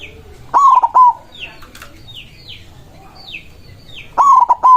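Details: White zebra dove with a big voice, singing to call rivals in an agitated state: two loud low cooing phrases, each a rising hooked note then stuttered coos, at the start and near the end, with many thin high downslurred chirps of other birds between.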